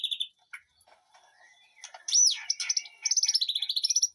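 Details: White-rumped shama singing in a back-garden aviary. Soft scattered notes build to a loud swooping whistle and end in a quick, even trill.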